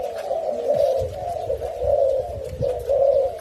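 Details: A tame captive male fancy mutation spotted dove in Thailand gives low, soft, rolling courtship coos, three phrases about a second apart, in a quiet indoor setting.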